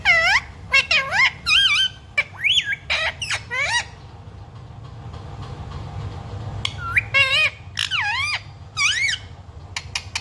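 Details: Pet talking parrot, said to say 'mummy papa' and 'sita ram', gives bursts of loud, strongly bending whistled and squawky syllables in short phrases, pausing between groups, over a low room hum.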